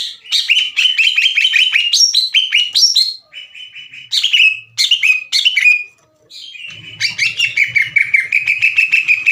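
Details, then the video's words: Caged greater green leafbird in a furious, loud singing bout, challenging other leafbirds to fight; fast series of sharp whistled notes, rising and falling slurs, pauses, then a steady rapid trill of repeated notes; faint low hum behind. "NGAMUK...!!!! CUCAK IJO GACOR NGEPLONG DAN TEMBAKAN KASAR NGAJAK IJO LAIN TARUNG."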